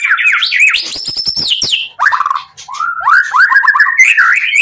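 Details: White-rumped shama singing in an agitated state, used as a lure so other shamas answer. Loud, varied whistled phrases slide up and down, with a rapid buzzy stretch of notes near the middle followed by rising slurred whistles.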